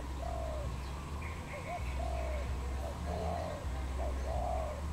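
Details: Wild dove in Cambodia, recorded 23 April 2020, giving repeated low coos with short hooked notes between them, while faint chirping birds and a steady low hum sound behind.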